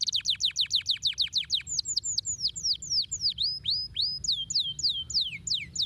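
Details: Canary song meant to encourage lazy canaries to sing. A fast high trill gives way to slower swooping whistled notes, some dipping and rising, each repeated several times, over a soft low background rumble.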